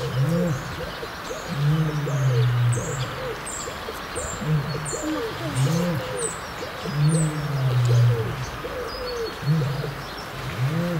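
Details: North African ostrich from a zoo breeding program for this endangered subspecies: deep, low booming calls repeated every couple of seconds, while small birds chirp and twitter steadily in the background.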